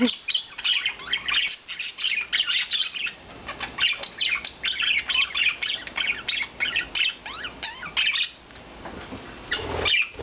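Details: Indoors, a group of four rescued budgerigars, free all day, chatter busily in twittering, buzzy warbles with quick up-and-down whistled notes, almost without a break, then a short lull near the end.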